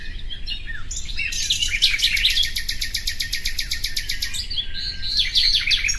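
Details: Nightingale, common species, delivering a rich phrase: scattered chirps lead into a fast, evenly repeated rattle of sharp notes lasting about three seconds, then tumbling varied twitters.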